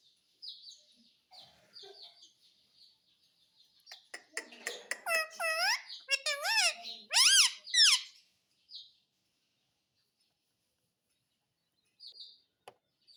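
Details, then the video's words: Indoor pet talking parrot: soft scattered sounds at first, then a burst of loud, speech-like, bending tonal syllables, then quiet with a few faint clicks. "बोलने वाला तोता"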